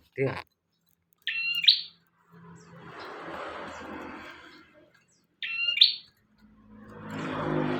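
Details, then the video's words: Bar-winged prinia recorded as training material for other birds: two isolated buzzy phrases, each a flat trill lifting sharply at the end, between bursts of rushing noise and a brief knock. "Burung prenjak tamu / prenjak omah gacor"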